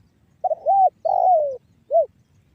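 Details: Three-part phrase from a spotted dove in the 'banggo bocor' call style, meant to prompt other doves to coo: a quavering note, a drawn-out falling coo, and a brief final hoot after a pause.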